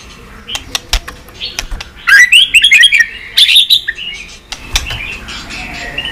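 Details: White-rumped shama kept as a pet, song used to stimulate other shamas: sparse sharp ticks, then two bursts of rapid twittering whistled notes, followed by softer warbling phrases, in a small room.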